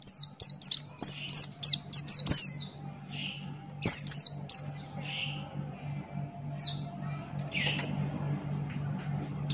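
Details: Buxton's white-eye in vigorous 'ngalas' song: a fast string of high, sliding-down whistles, then slower scattered notes and short lower chirps, with a steady background hum.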